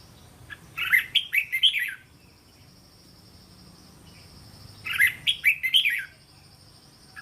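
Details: Caged red-whiskered bulbul singing a provoking, linked-phrase training song with doubled phrases of three to five syllables: two bright, chattering warbled phrases about four seconds apart, each of several quick rising and falling notes, over a faint constant hum.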